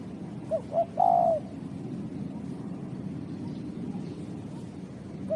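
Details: Spotted dove cooing: two short low hoots followed by a longer, slightly wavering coo that drops at the end, then a new hoot starting. Steady low background hum throughout.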